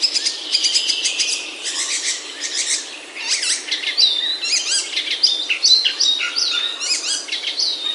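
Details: Wild birds singing in a Himalayan oak forest in the hills of Himachal, India, heard on a forest walk: a busy chorus of high chirps, sweeping whistles and quick tweets overlapping continuously for eight seconds.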